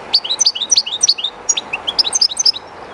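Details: Goldfinch belonging to a keeper, singing near the flowing water of the Jerte river; a continuous lively phrase of high, liquid twittering notes in quick succession, with faint river noise beneath.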